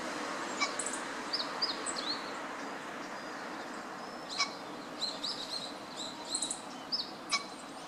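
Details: Long-tailed rosefinch, a winter visitor here, recorded in Noda, Japan on 18 November 2015, giving thin, high whistled notes, brief and irregularly spaced over about eight seconds, against a steady background hiss.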